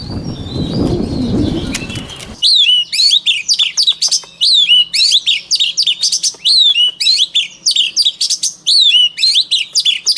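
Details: White-rumped shama song used for voice training of shamas: after two seconds of low rumbling noise, loud high whistled phrases with sharp rising and falling notes and quick chips follow in rapid bursts almost without pause.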